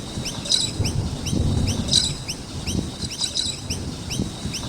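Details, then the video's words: Around a skate park, noisy miners give rows of quick high chirps with denser bursts, set against heavier low rumbling and rolling background noise. "Noisy Miner Birds with Chirping Sounds"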